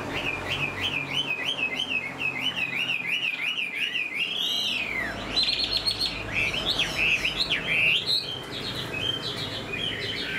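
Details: ['Caged Chinese Hwamei singing with tail flicking, fresh plumage and fanned tail; a long run of quick wavering whistled notes, then a rising sweep and bursts of bright varied phrases over soft background music.']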